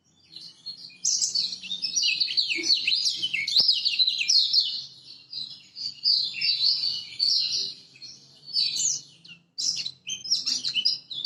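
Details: Lemon-bellied white-eye from Lombok singing as a master song meant to lure silent birds into singing: a fast, unbroken stream of high, thin twittering and chirping notes with brief pauses near the end.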